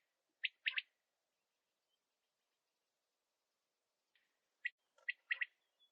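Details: Male quail calling: two three-note phrases, a sharp chirp followed by a quick double note, separated by a few seconds of silence, with a faint extra chirp at the end.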